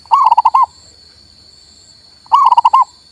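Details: Male local zebra dove song, played to stimulate a silent bird into singing: two quick phrases of about six rapid, rounded cooing notes each, separated by a two-second pause, with a faint steady high tone behind.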